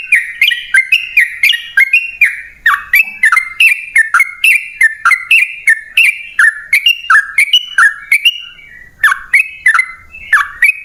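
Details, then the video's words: Sooty-headed bulbul singing in long, rapid 'ropel panjang' style, meant as a lure to prompt other birds to sing: a steady run of short whistled notes about three per second, each with a bright slurred twist, with one brief pause. "Pancingan Trucukan PALING AMPUH! Burung Langsung Ngalas & Nyaut Gacor"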